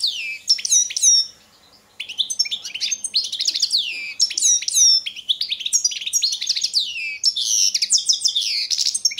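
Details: Balkan goldfinch, Carduelis carduelis balcanica, singing for an online world goldfinch song competition in 2022: bright liquid twitters and sharp chirps in rapid series, a short gap after the first second, then steady high warbling.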